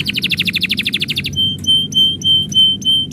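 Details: Canary song heard when its owner is about to leave: a fast pulsed trill for over a second, then clear piping whistles spaced about a quarter second apart.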